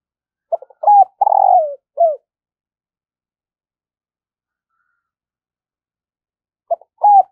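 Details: Morning calls of a decoy spotted dove luring wild birds: quick clipped notes, a bright coo, a long burred descending coo and a short final note, then a pause before the phrase starts again.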